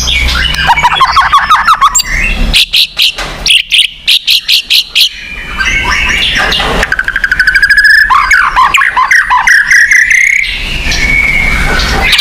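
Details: White-rumped shama song meant to get pet shamas singing more: varied phrases of rapid trills, rattling bursts and descending whistled runs, shifting between low and high registers.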